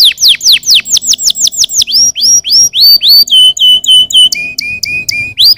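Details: Singing canaries used to encourage other birds to sing, delivering a loud high song of repeated descending whistled sweeps, then upslurred notes and flat piping whistles in quick series, several per second.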